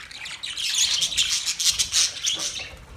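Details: Budgerigars chirping: dense, scratchy warbling chatter with rapid twittering notes, overlapping calls suggesting several birds.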